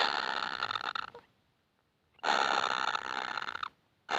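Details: Two long, rough, buzzing rasps from hungry baby kingfishers asking for food, separated by about a second of silence, with a third starting at the end.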